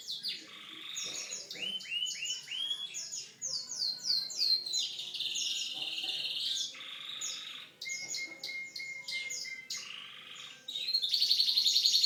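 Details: Canary's unique song flows through varied phrases: rolling trills, falling slurred notes, a steady held whistle, and a fast ringing high trill at the close.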